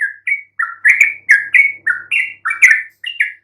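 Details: Yellow-vented bulbul song used as a lure to make even silent bulbuls answer: a quick string of short, slurred chirps that rise and fall, bubbling along without pause for several seconds.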